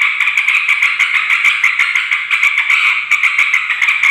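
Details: Noisy yellow-vented bulbul chatter for luring wild females and males: continuous scratchy babbling, punctuated by sharp ticking notes at an uneven, quick pace.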